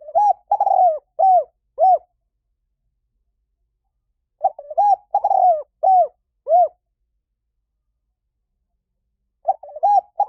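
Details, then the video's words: Luring call of a spotted dove aimed at wild doves. A cooing phrase repeats about every four and a half seconds, each a warbled start, a rolling coo and two arched coos. Nothing else is heard. "เสียงนกเขาใหญ่ หมานๆ ต่อเข้าเร็ว ป่าไหนก็เข้า"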